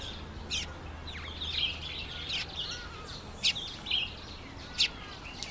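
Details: Red-faced mousebird making its first visit to a birdbath; a run of sharp, high chirps, about seven in under six seconds and unevenly spaced, against constant outdoor hiss.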